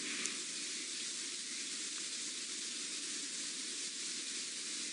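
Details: A steady broadband hiss, like wind or vehicle noise outdoors, runs throughout with no animal calls.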